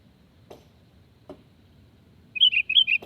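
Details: Sooty-headed bulbul calling, used as a lure to draw wild birds into answering; one quick phrase of four or five bubbly, whistled notes near the end, preceded by three soft low clicks over faint background hum.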